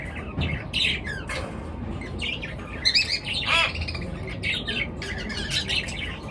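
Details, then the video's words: Chirping birds in the morning: mixed twittering, buzzy notes and a few sharp descending calls, steadily overlapping against a low rumble. "পাখির কিচির মিচির ডাকে সকাল বেলার ঘুম ভাঙা"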